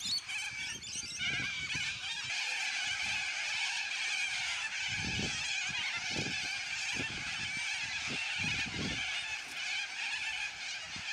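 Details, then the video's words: Dense, steady din from a noisy flock of yellow-crested cockatoos, many raspy screeches blending into continuous chatter, with occasional low thumps. "Noisy Yellow Crested Cockatoos Take Over!"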